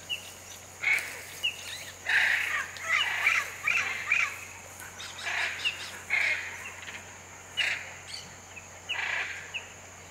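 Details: Hyacinth macaws in the Pantanal give harsh, grating squawks in irregular bursts, about ten in ten seconds, over a steady high insect whine. Hyacinth macaw.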